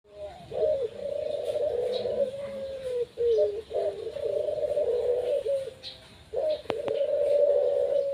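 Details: A kept Barbary dove (puter) performing its song: long, low, rolling coos held for over a second each, with short breaks, in a quiet indoor setting with a faint click near the end.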